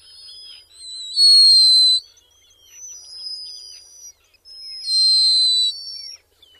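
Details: Black guillemot calls: thin, very high, drawn-out whistles, several overlapping, with two louder sustained piping notes each lasting under a second and fainter wavering whistles in between.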